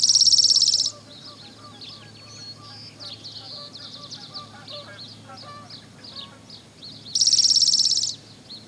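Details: Spotted towhee on Lummi Island, Washington, delivering two loud, dry buzzy trills, each about a second long and roughly six seconds apart; faint scattered twitters and chips from other birds fill the gap between them.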